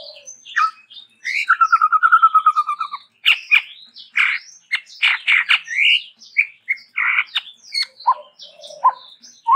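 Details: Sumatran endemic chestnut-rumped babbler singing energetically with variation: a steady rattling trill of about a dozen even pulses, followed by a dense jumble of squeaky, buzzy and whistled notes.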